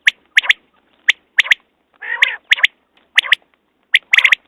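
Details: Common quail (batair) calls for hunting use: short sharp whistled notes near the upper-middle range, often in quick pairs and triplets, mixed with rougher nasal squawking bursts, repeated roughly once a second.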